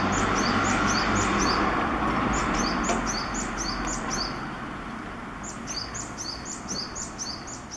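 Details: Japanese tit singing vigorously: ringing high two-note phrases repeated in a regular fast series, a short pause near the middle, then the series resumes, with low rumbling traffic-like noise beneath.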